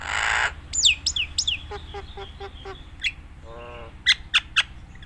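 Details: Nias hill myna singing a varied song used as a master recording to train other mynas: descending whistles, sharp clicks, harmonic nasal notes and a buzzy burst, over a low steady hum.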